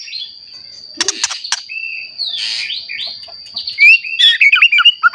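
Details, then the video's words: Shama song for provoking rival shamas: mostly faint at first with a few clicks, then a lively burst of quick high whistled twitters near the end, over a persistent thin whine. "Murai Batu Gacor Ampuh Untuk Pancingan Murai Batu Agar Bunyi Langsung Emosi"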